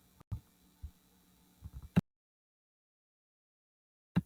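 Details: A few soft low thumps and a faint hum, then dead silence broken by one final thump; no animal sounds.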